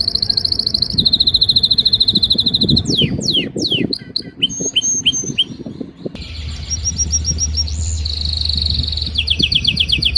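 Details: Canary singing in breeding season, trying to impress a female: rolling high trills, a burst of swooping sweeps and clicks, then varied trills at differing pitches, with low rumbling noise underneath.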